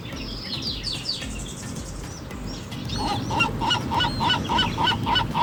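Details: Seagulls on Mission Bay Beach, California, on the Pacific coast in the morning: after a few high falling cries, a gull gives a fast, evenly spaced series of short nasal laughing notes, over steady surf and wind.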